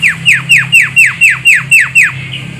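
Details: Javan myna call used to lure birds for trapping: eight loud, harsh descending squawks in quick, even succession, about four per second, with a low hum underneath.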